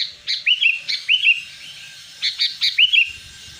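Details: Sooty-headed bulbul calling as a lure for wild birds and silent caged bulbuls: short clear chirps paired with downward-curling whistled notes, given in two spaced groups with a brief pause between.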